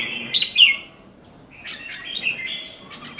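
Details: Red-whiskered bulbul kept as a songbird sings two quick whistled phrases, the first loud with a sliding note, the second softer and chattering, separated by a short pause.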